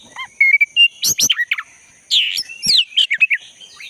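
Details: Wild black-breasted Oriental magpie-robin singing, natural forest sound used to coax a non-singing caged bird; a mix of pure whistled notes, rapid chips and a harsh swooping note, delivered in quick uneven bursts.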